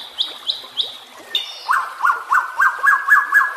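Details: Training song of a white-rumped shama for caged birds: three high clear whistles, a brief buzzy note, then a steady series of seven lower ringing chirps at about four per second.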